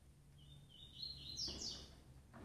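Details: A female double-collared seedeater calls to stir up males, giving a drawn-out thin whistle that steps upward into bright, high slurred notes, followed by a faint knock.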